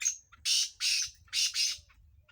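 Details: Kala tetar, the black francolin of Sindh, calling for chakree training: one loud rhythmic phrase of coarse, hissing notes, short lead-in then four harsh bursts grouped two and two, against a quiet background.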